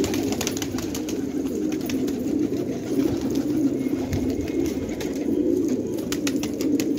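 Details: Many fighting pigeons cooing together in a Khanabad village, Afghanistan: a throaty, rolling murmur that swells midway, with light clicks and wing sounds scattered throughout.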